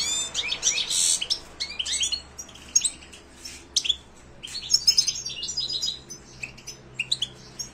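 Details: European goldfinch song in silvestrismo context: a continuous, jumbled stream of high, bright twittering and chattering notes with buzzy elements, rising and falling in loudness throughout.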